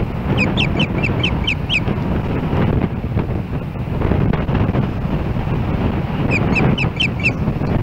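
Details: Nest-camera recording from Hellgate Canyon, Missoula, Montana, July 4, 2016, with an osprey approaching the nest. Two quick runs of piercing repeated chirps, one at the start and one near the end, are separated by loud, rushing wind noise.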